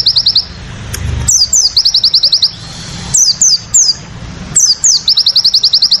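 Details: A crested jay delivers tembakan sadis style song, short volleys of rapid, piercing clipped notes interleaved with sharp falling whistles, phrases returning every second or two above a soft low rumble.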